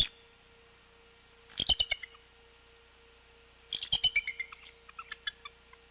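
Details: Female bald eagle at the Decorah nest on 16 February 2021 around 13:18, calling for relief from brood duty before the male arrives; two bursts of rapid, high, piping notes sliding downward, each lasting under a second, over a steady low hum.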